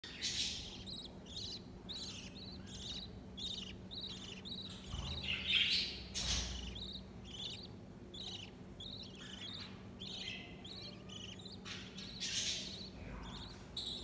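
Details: Budgerigar; begging calls; chicks begging for food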